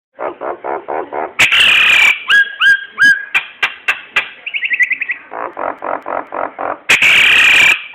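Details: Nias hill myna song, suited for luring other birds into singing. A loud, varied sequence: runs of nasal pulsed notes, harsh broadband blasts, paired ringing whistles, and a quick stuttering trill. It ends with another harsh, loud burst.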